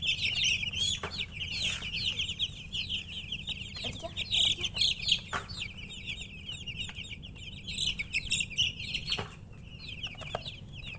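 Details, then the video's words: Crowd of baby chicks giving piercing, rapid peeps that overlap densely throughout, with a steady low hum and a few sharp knocks. "MURGI Baby "Chicks Chirping" Sound"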